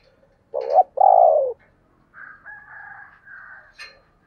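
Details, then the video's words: Spotted dove calling in the 'thúc + gáy gọi' style: two loud, low, hollow coos, the second longer and falling. Fainter, higher, buzzy notes follow, then a short sharp note at the end. "tiếng cu gáy/ thúc + gáy gọi"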